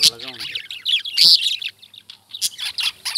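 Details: Lovebird chirps follow a brief low harmonic voice-like squawk at the start: loud piercing high notes, then scattered scratchy chirps with quiet gaps.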